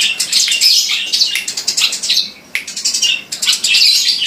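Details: Noisy sparrows giving rapid, high, scratchy chirps packed closely together, with one brief pause midway before the busy chattering resumes.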